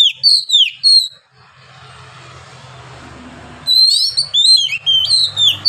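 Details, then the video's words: Oriental magpie-robin in Indonesia singing vigorous, long-breathed ngeplong song: bursts of clear, high whistled notes, sliding and warbling, then a pause with low background hum and hiss before the phrases return. "KACER GACOR NGEPLONG NAFAS PANJANG"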